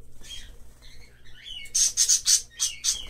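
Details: Hand-tame green-cheeked conure in a pet shop gives a burst of about six harsh, high chirping squawks after softer twittering notes, over a low hum; it seems frightened by something.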